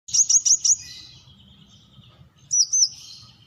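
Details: Brown-throated sunbird: four quick high chips at a steady pace, then a pause and two thin upslurred whistles; faint lower background twitter.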